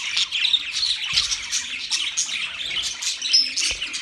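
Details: Several budgies keep up a steady, busy twittering of high, rapid chirps and squeaky notes that overlap without pause.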